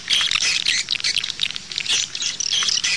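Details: Chattering high chirps and twitters of swiftlets, played to attract birds to nest houses, in a fast, busy stream.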